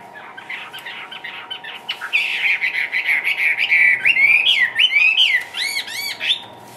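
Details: Lively caged Chinese hwamei gives a brief quiet lead-in, then bursts into loud, rich rolling whistles, ending with a run of sharp arching notes repeated in quick succession.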